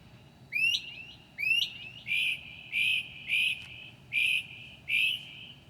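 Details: Northern mockingbird singing at 2 a.m. on 7/9/2008 and mimicking other birds: two rising slurred whistles, then a run of six harsh, buzzy notes roughly every half second over a quiet background.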